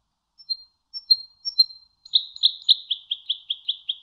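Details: European goldfinch training song: scattered thin, high pure whistles, then a quick series of around nine buzzy chirps stepping slightly downward, loud and clear against silence.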